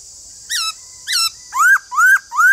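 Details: White-cheeked laughingthrush singing: two harsh, downward-sweeping squeaky notes, then three loud, rising whistled notes in quick succession, over a constant high-pitched hiss.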